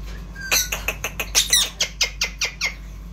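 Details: Indian ringneck parrot, a talking pet bird, giving a run of about eleven short, harsh, broadband squawks in quick irregular succession, each a sharp burst, in a quiet room.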